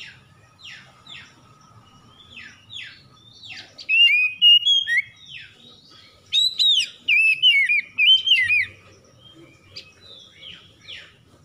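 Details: Oriental magpie-robin, morning-dew lure for restoring stressed kacer to full song: soft descending sweeps at first, then bright looping whistles and sharp chirps in several loud bursts, fading back to soft swoops.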